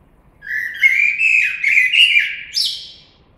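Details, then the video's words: Blackbird singing a sustained phrase of smooth, low melodious whistles that wavers up and down and ends with a sharp high rising squeak. "Κότσυφας. Blackbird Song & Calls"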